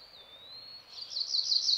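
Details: Cerulean Warbler singing along streams in Missouri's Ozark Plateau (Meramec and Big Piney Rivers, Huzzah Creek): a thin, high whistled note, then a rising run of rapid buzzy notes, over a faint background hiss.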